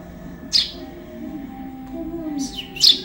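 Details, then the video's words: Juvenile Eurasian tree sparrow used as training material for songbirds: three sharp, high chirps, one isolated and a close pair near the end, over a low murmuring background. "MASTERAN BURUNG GEREJA ANAKAN"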